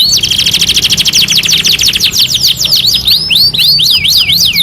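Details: Canary song, two-in-one master recording: a very fast buzzing trill followed by slower looping whistled notes about three per second.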